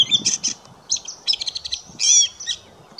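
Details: Gray catbird song recorded in May 2016 at St George Marsh, Charlotte County, New Brunswick: quick bursts of scratchy chatters, whistles and squeaks, one note after another in an improvised-sounding sequence.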